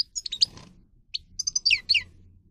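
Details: Soft, broken song of a Grey-crowned goldfinch (Carduelis caniceps), for training: scattered high chirps and twitters, a brief gap, then several downward-sweeping whistled notes over faint low background noise.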